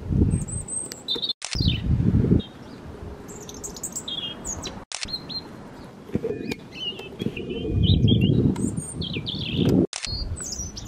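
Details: European robin singing in a holly tree in a North Devon garden, England: thin, high, wavering phrases, varied and broken by short pauses, over heavy gusting wind with a few sharp knocks.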